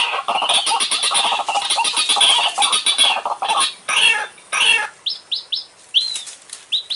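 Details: White-breasted waterhen in the dry season, used as a trapping lure: loud, harsh, rapidly repeated croaking chatter for five seconds, then a few short rising-and-falling whistled notes.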